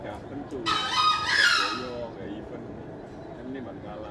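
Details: A green junglefowl crowing: a single short, hoarse, high crow of just over a second, harsh and rasping, over a steady background hiss.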